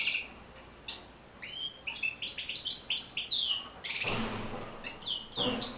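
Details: European goldfinch song meant for teaching and stimulating goldfinches to sing: fast tinkling, liquid twitters and trills, broken by two brief broadband rustling noises.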